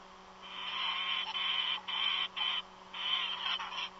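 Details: Strange bird calls from a nest, the caller stated not to be an eagle: harsh, hissing, broadband screeches held for about a second each, four in a row with brief gaps, over a steady electrical hum.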